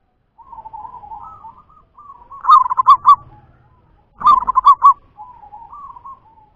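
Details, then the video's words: Local wild zebra dove singing: gentle purring coos that build into two loud, bubbling trilled bursts, then trail off into softer rolling notes, on a quiet background. "Suara perkutut lokal"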